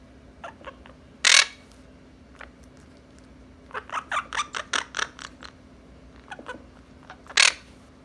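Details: Two young pet Quaker parrots playing indoors, pouncing, bouncing and biting, filmed on an iPhone 7 Plus: loud harsh squawks open and close a run of short, rapid scratchy chatter notes in a steady hum of room noise.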